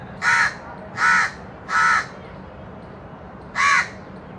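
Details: Four raspy crow caws, three in quick succession then a pause before a final caw, with a faint low hum behind.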